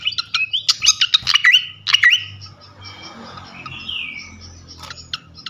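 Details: Flycatcher song used as a lure to provoke other flycatchers: a quick series of sharp clicks and short whistled notes, then a slow rising-falling whistle and a few scattered chips, with a low hum beneath.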